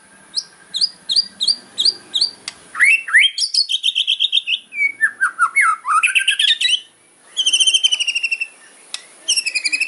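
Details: White-rumped shama in a sharp fighting song: a series of high repeated chirps, then loud rolling trills and swooping whistles, ending in fast buzzy high rattles.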